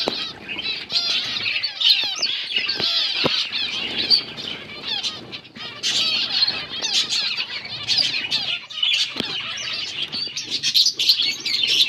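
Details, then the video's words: Flock of finches feeding on green food, recorded August 17, 2024. Busy, unbroken high-pitched twittering from many birds at once, rising into louder waves of chatter, with occasional sharp clicks. "Beautiful finches eating green food birds chirping sounds"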